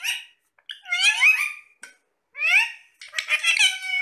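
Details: Pet parrots chatting over apple: a short call, then rolling harmonic squawks with rising and falling inflections, pausing between phrases, ending in a dense rapid chatter.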